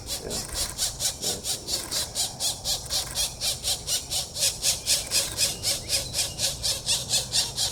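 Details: Pileated Woodpecker chicks being fed in a yard on 4/21/24 beg with a steady run of harsh, hissing, high, buzzy rasps, about two each second, over a faint murmur of human voices.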